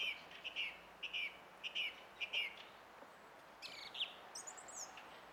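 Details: A song thrush on 20 April 2016 sings one short clear phrase five times in steady succession, then switches to rising squeaky notes and a very high thin twitter.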